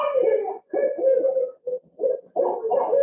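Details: Barred Owl, a southern Ontario owl recently nesting in the Niagara area, giving a series of deep, rich hoots in uneven phrases, some drawn out and wavering, others short, over about three seconds.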